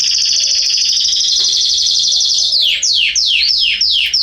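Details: In a garden in September 2020, a canary holds a long high rattling trill, then breaks into four loud downward-swooping notes; faint lower notes of another bird beneath.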